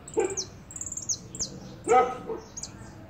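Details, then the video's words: Caged goldfinch, a trophy-winning bird, singing while in moult, recorded indoors: high thin twittering notes and quick falling slurs in short bursts, mixed with lower harsh chattering calls and faint background noise. "Jilguero de Luisito cantando en replume"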